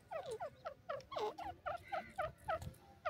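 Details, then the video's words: A francolin (dakni teetar) gives a fast run of harsh, downslurred notes, about three a second, with a faint low rumble underneath. "dakni teetar ki awaz"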